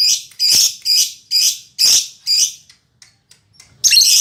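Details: Captive female lovebird described as a fighter and in full voice: six rasping, broadband chirps repeated about every half second, a short pause with faint ticks, then another harsh burst.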